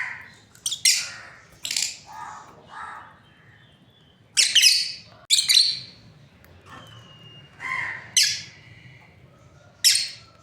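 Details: Lovebirds from a breeding pair call in scattered shrill, high chirps and lower rasping notes at uneven gaps, with quiet moments between bursts.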